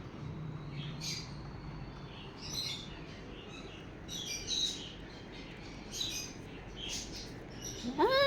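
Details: Several sun conure parrots playing together, giving a scattered series of short, high, scratchy chirps every second or so, with a woman talking softly in Telugu and a rising voiced call at the end.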